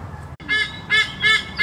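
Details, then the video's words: White-bellied sea eagle, possibly a juvenile, gives three loud, nasal, goose-like honks, one roughly every half second. "White Bellied Sea Eagle call"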